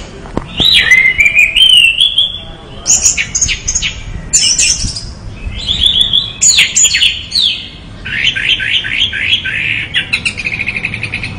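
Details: Energetic song of an orange-headed thrush: a clear descending whistle, then a varied run of rapid chirps, squeaky notes and fast repeated trilled figures lasting over ten seconds.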